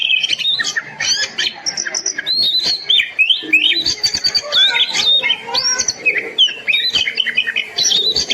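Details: Oriental magpie-robin (kacer) song used as a master recording to stir silent birds into singing: a lively, high jumble of varied whistles, chirps and slurred notes, delivered almost without pause.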